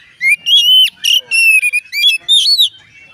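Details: Oriental magpie-robin song, said to set other magpie-robins singing; a brisk series of about six loud, clear whistles, including rising slurs, in bright, varied phrases.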